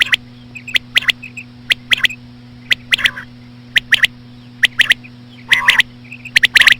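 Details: Female common quail sounds given slowly to attract quail: rapid sharp clicking notes in pairs and triplets, interspersed with a few raspy buzzy bursts, over a continuous low-pitched hum.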